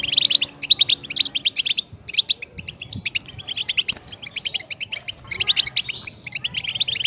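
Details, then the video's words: Goldfinch song of quick liquid twitters and trills, delivered in continuous rapid bursts with brief gaps, bright and tinkling throughout. "Goldfinch Best Motivational Sound!"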